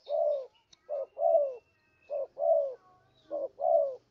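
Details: Spotted dove lure call for trapping: three pairs of mellow coos, each a clipped note followed by a fuller descending one, with a faint thin whine and low hum behind.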